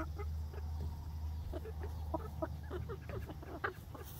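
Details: Young laying hens exploring a newly built outdoor backyard run on their first day, with scattered soft clucks growing busier midway over a constant low droning hum.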